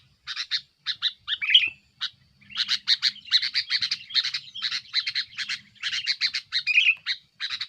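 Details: Sooty-headed bulbul in aggressive song aimed at rivals, used as a lure: sharp scratchy chirps, sparse at first, then a steady rapid stream of harsh chatter with a few whistled slurs.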